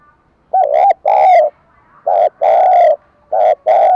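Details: Spotted dove song recorded for daily voice training of doves: two paired phrases of low, slightly buzzy hooting coos, each a short note followed by a longer one, with quiet gaps between the pairs.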